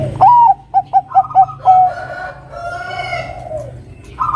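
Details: A Bangkok zebra dove, singing eagerly to challenge a rival, gives an upward-sliding first note, four short staccato coos and a brief level ending. A rooster crows right after it.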